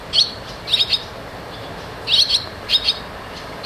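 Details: Barn swallow chicks going in and out of the nest, giving short high chirps in quick pairs and triplets, bursts spaced about half a second to a second apart over faint steady background hiss.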